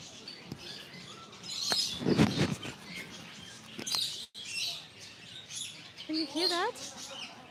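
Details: Parrots of many kinds, including cockatoos, kept in an aviary on Batumi Boulevard by the Black Sea: a mix of chirps, harsh squawks and a wavering warbled call, with a person talking and outdoor background noise.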